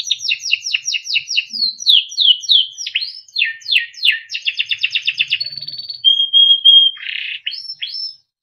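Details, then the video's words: Timbrado canary song for training and listening: a series of sharp descending chirps, rising swoops, a fast rattling trill, a steady held whistle, then a harsh burst and a final rising note. "Timbrado canary singing beautiful melodic songs"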